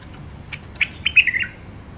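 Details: Songbird caught wild near the Mandali crossing, Iraq, and caged for sale, gives a few soft chips that lead into a short slurred warble falling in pitch, with faint hum behind.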